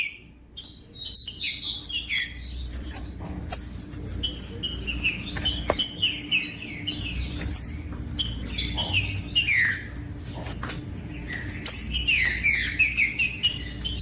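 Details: Captive green-winged saltator song played to motivate other birds to sing strongly: a lively run of varied whistled and chirping notes, some rising, some falling, over a faint low hum and occasional clicks.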